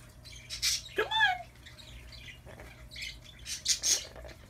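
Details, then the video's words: A chatty female Amazon parrot, said to be sleepy, chatters in raspy, speech-like phrases: a harmonic swooping squawk, then short scratchy bursts over a faint indoor hum. "Chatty Amazon"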